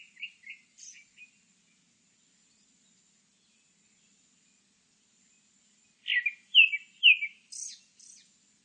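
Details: A grey-backed thrush sings two short phrases of clear, fluty whistles, each ending in a thin, high twitter, with a steady faint insect hum behind.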